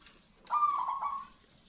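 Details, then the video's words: Zebra dove giving a loud song used as a lure to attract birds: one rolling, slightly trilled coo phrase under a second long, mid-pitched with a brief emphatic start, in otherwise quiet surroundings. "MERBOK GACOR SUARA BESAR UNTUK PANCINGAN PIKAT SEMUA BURUNG"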